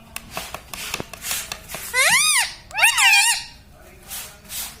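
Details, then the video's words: Pet talking parrot, said to say "Sita Ram" and "mummy papa", giving two arched, nasal, word-like syllables in quick succession after a stretch of faint ticking sounds. "Parrot talking mummypapa 🥰parrot talking sitaram"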